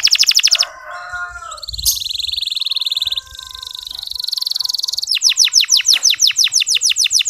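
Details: Local canary training song meant to prompt other male canaries to sing: a fast trill, a muddled buzzy passage with softer lower notes, a long sustained buzz, then rapid upswept chirps.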